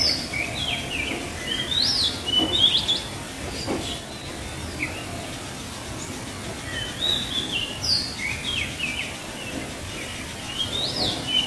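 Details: Oriental magpie-robin calling in the wild at its nest in the rain: short chirps and whistled, upward-flicking notes in scattered bursts, loudest early on, over a steady hiss of rain and a low rumble.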